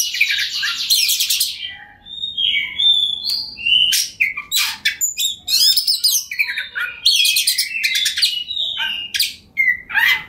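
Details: Persistent kacer, Oriental magpie-robin, in full song as a lure to spur rival birds into singing. Bright whistled notes alternate with harsh, buzzy bursts and brief chirps, phrases changing every second or so; a faint low hum sits underneath.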